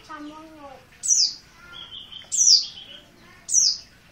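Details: Insistent 'ngotot' calls of an untrained Merapi oriental white-eye: three bright, high notes sliding downward, about 1.2 seconds apart, with soft lower harmonic sounds between them.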